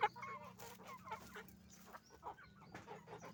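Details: Roosters and hens on a chicken farm making noise: a busy overlapping chorus of short clucks and squawks, with a steady low mechanical hum underneath.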